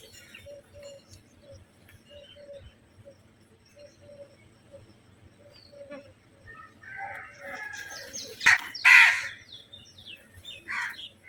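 Crows in a flock, starting with faint, repeated short notes, then a burst of loud, harsh, rasping caws near the end as the birds squabble.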